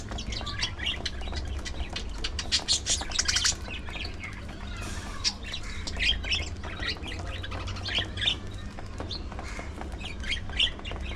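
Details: A group of budgies munching seeds and vegetables keeps up busy, scratchy chatter, a dense burst of squawky chirps early, then scattered high notes with pecking clicks and low hum.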